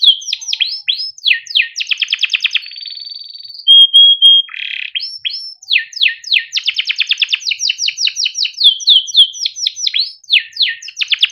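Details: Caged male yellow canary singing long as a master song to prompt young birds: quick descending chirp series, a dense rolling trill, a pure steady whistle, then many fast repeated sweeping notes.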